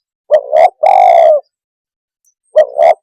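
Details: Spotted dove calling to stir up other birds: a double coo and a long, slightly falling coo, then silence before the next double coo begins.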